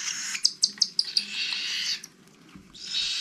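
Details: Cockatiel chicks, the year's last, being hand-fed in an aviary in 2021, beg with a harsh hissing rasp broken by about five sharp, high chirps in quick succession, then fade to a quieter wheeze.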